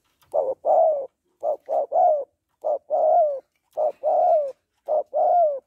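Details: Spotted dove hen cooing to stir up a male. Five groups of one or two clipped low notes lead into a drawn-out, gently falling coo. The groups come at a steady pace against a quiet background.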